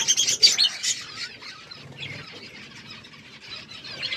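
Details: Aviary budgerigars in a forest setting in Asia: busy high chirping and squawks strongest in the first second, then softer continuous twittering chatter from several birds fading through the rest.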